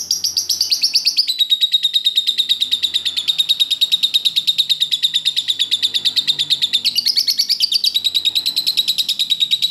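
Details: Lovebird master recording for teaching other birds: a continuous fast stream of high, ringing chirps forms a sustained trill, shifting pitch slightly near the start and again around the seventh second.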